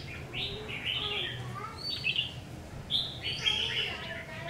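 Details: Red-whiskered bulbul, a new decoy bird under trial near a home, giving rich warbled whistles in three clustered bursts with slurred notes. A voice and steady low hum sit in the background.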